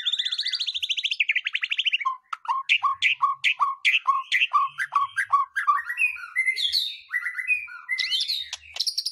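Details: White-rumped shama song used to goad other birds into singing: a rapid, buzzy trill, then a rhythmic run of repeated two-part whistles. It ends in varied high, squeaky phrases.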